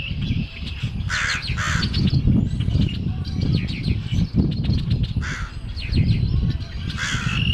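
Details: Crow calling on a clear late afternoon of Good Friday 2010, following heavy morning rain and wind. Hoarse caws come in clusters over constant low-pitched rumble.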